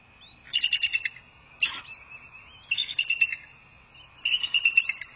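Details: American bald eagle at its nest, filmed by a live nest camera on 2 February 2024 around 07:19; four bursts of rapid, high, squeaky chittering notes, each burst about half a second long, over a steady faint tone.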